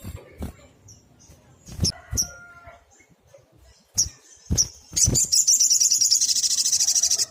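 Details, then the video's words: Vigorous sunbird singing 'tembakan', rapid-fire song used as training material for cage birds: scattered high chips and clicks, then a long, dense, very high buzzy trill at the end. "Tembakan SOGOK ONTONG GACOR"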